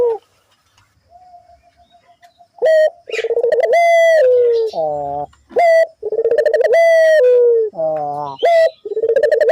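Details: Barbary dove in energetic voice, used as a lure so that other doves call too: repeated sets of short rising notes and long rolling coos that drift downward. A faint, soft coo from another dove is heard at the start.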